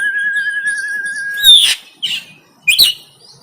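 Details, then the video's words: Fighting song of an oriental magpie-robin from Banten, captured by Android phone: a sustained quavering whistle for a second and a half, followed by three loud scratchy, buzzy bursts. "KACER KONSLET TARUNG"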